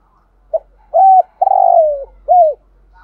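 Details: Decoy spotted dove giving a 'thúc gù' cooing phrase of four parts: a clipped opening note, a level coo, a long vibrating descending coo, and a rounded arched note, over a low background hum.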